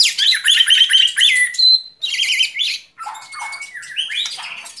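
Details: White-rumped shama song of fast chattering trills and bright warbled notes, followed by a sustained clear whistle and descending slurred phrases.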